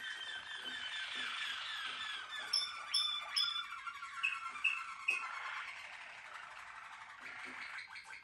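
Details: Malinois Waterslager canary, a captive-bred song canary, singing quietly with soft rolling phrases, then a few bright, clear whistled notes in the middle and a fainter rolling passage near the end.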